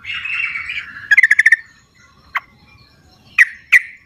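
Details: Wild sooty-headed bulbul singing, used as a lure to prompt silent captive birds. A slurred warbled phrase, then a quick bubbly burst of about five notes, followed by three sharp separate chips.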